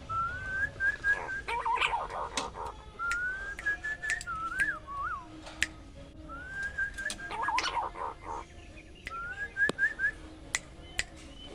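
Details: Pink-necked green pigeon with wavering, rising whistled phrases, some slurred up and down, repeated through the recording amid sharp clicking sounds.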